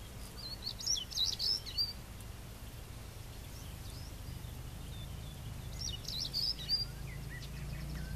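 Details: African stonechat (Saxicola torquatus), call.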